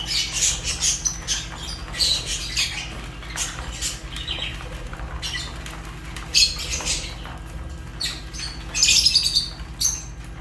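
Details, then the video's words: Fischer's lovebirds chirping in scattered high, scratchy bursts, some louder squawky notes near the end, over a constant low hum. "African lovebirds chirps sounds | تغاريد فيشر"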